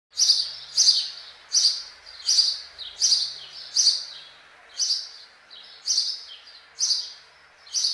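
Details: A house sparrow (Passer domesticus) gives loud, bright chirps, about one every second, each a short harsh chirrup repeated steadily over quiet background noise.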